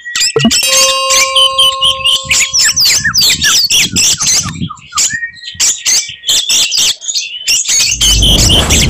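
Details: Oriental magpie-robin in fighting song that provokes rival birds: a long steady whistle opens, then quick repeated chattering phrases and sweeping high notes about four per second, with a low rumbling noise near the close.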